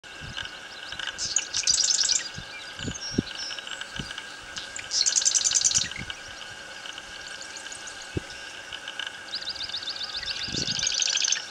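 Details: Marsh wren (Cistothorus palustris) singing at Beauharnois: three high, rattling, buzzy trills, each about a second long and a few seconds apart, over a steady background hum and low thumps.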